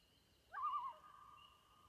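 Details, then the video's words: Common loon on an Adirondack lake gives one mellow, mid-pitched note that wavers briefly, then holds steady and slowly fades, over a faint high background hum. "Loon Calling"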